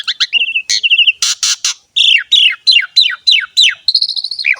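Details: Javan pied starling singing hard in ngerek style: short whistled trills, three loud harsh crackling bursts, then a row of sharp falling whistles and a wavering high note.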